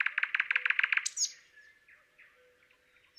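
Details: Thrush nightingale singing in Palupõhja, Estonia: a fast, loud series of about nine hard, rattling notes within one second, then a high upward sweep and quieter trailing notes fading out.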